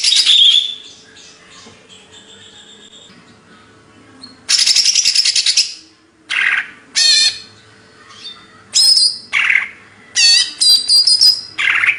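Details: Greater green leafbird, Banyuwangi type, delivering a varied song: rasping noisy bursts alternate with sharp, sweeping whistled phrases and rapid slurred notes, separated by brief pauses, loud and close.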